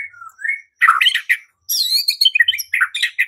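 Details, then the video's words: Brief white-rumped shama song used as a fighting and singing lure, soft whistles followed by loud chattering bursts and high twittering notes. "Murai batu LANGSUNG TARUNG dan IKUT GACOR dengan pancingan seperti ini"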